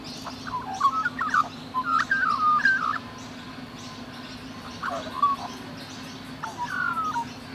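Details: Rainbow lorikeets in Australia, cuddling and lovingly grooming each other: bursts of soft, squeaky, whistled chattering notes in short runs, pausing mid-way, then resuming with a few sliding whistles, over a steady low hum.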